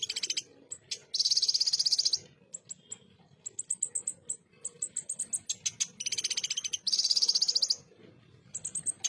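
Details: {'type': 'text', 'text': "Ruby-cheeked sunbird, a tutor song for competition songbirds in full 'tembakan kasar' style: long sizzling high trills at the start and near the end, with irregular bursts of sharp ticking notes in between."}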